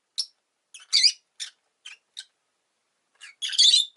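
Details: Pet rosy-faced lovebird giving a run of shrill, harsh chirps in short bursts, with single sharp notes and then a longer raspy squawk near the end, against a quiet background.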